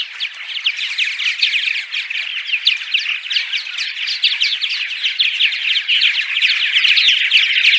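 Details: Purple martin dawn song in a studio recording, meant to be played before dawn while migrating martins arrive, to attract them to nest sites; dense, continuous gurgling chirps and croaks, rapid and overlapping, steady for the whole stretch.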